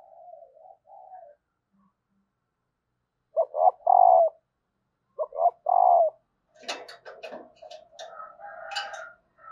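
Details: Female spotted dove calling to stir males into cooing: faint low coos, then two phrases of two quick short notes and a longer, loud, falling coo, about two seconds apart. A burst of broadband clattering and scratchy noise follows near the end.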